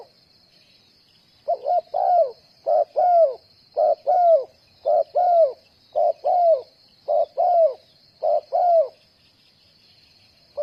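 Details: Spotted dove used as a decoy bird for trapping, giving a run of about nine short, hollow coos. Each coo has two quick parts and falls slightly at the end. The coos come in a steady series, then stop, over a constant high thin hiss.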